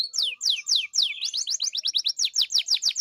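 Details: Canary song at close range: a string of loud, clear, downward-swooping whistles, speeding into a quick series of rising and falling chirps repeated several times a second.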